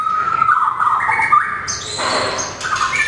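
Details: Competition song of a small, long-tailed White-rumped shama that flicks its tail and runs along its perch: varied whistled phrases that shift abruptly from lower to higher notes, with some harsher, noisier bursts.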